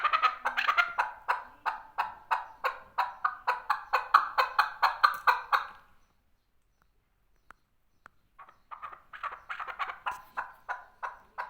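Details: Male chukar partridge producing a series of rhythmic rasping chuks, each rising and fading, for about six seconds, then silence with faint clicks before quieter repeated calls resume.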